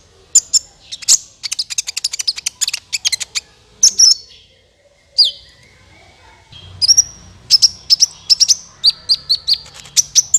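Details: Sunbird (kolibri ninja) calls used as a trapping lure: rapid bursts of sharp, high chirps and short descending whistled notes, delivered in fast clusters with a brief pause midway, then evenly spaced high tweets.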